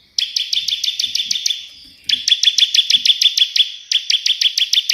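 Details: Ciblek, the Bar-winged prinia, singing energetically in the tembakan burst version that mimics the white prinia, intended as tutor material. Two rapid volleys of clipped, piercing high notes, roughly eight a second, are split by a short quiet gap.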